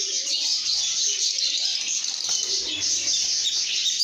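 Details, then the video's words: Lovebirds in a happy, good mood, singing and chirping: a dense, continuous wash of high, shrill chirps and squeaky twitters overlapping steadily through the whole stretch, with faint lower tones underneath. "lovebirds make happy sounds"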